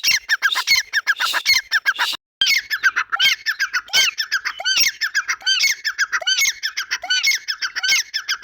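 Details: Grey francolin giving loud, grating calls repeated over and over, harsh squawking notes in a steady rapid rhythm with a brief silent break near the two-second mark.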